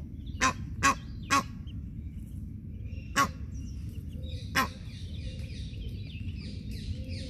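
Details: At the edge of a small pond in a park in Wiesbaden, Germany, an Egyptian goose guarding two goslings scolds the intruding filmer with alarm calls: harsh, hoarse honks, three quick then two spaced apart, over a low rumble.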